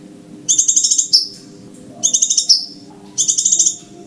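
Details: Scarlet minivet lure recording played to attract the birds for trapping: three bursts of rapid, high, pulsed chattering notes, each about half a second long, repeated roughly every one and a half seconds over a faint low hum.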